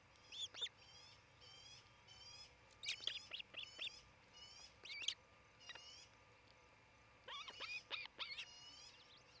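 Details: Ospreys at a nest in Charlo, Montana, filmed by a nest cam on 27 June 2018: bursts of sharp, high chirping notes, some in quick runs, mixed with thin, higher twittering of other birds and steady background hiss.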